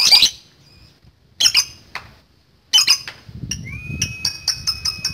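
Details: Lovebird chattering in a long 'ngekek' bout used to provoke rivals; shrill squawking bursts, then a quick rapid series of sharp repeated notes near the end.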